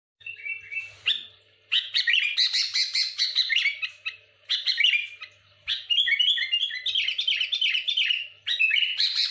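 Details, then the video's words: Sooty-headed bulbul in full energetic song, meant to press and provoke rival bulbuls: dense bursts of chattering, chirpy notes and quick trills in long runs, with brief pauses between phrases. "Suara burung kutilang gacor muntahin isian tembakan rapat menekan lawan bikin kutilang lain emosi"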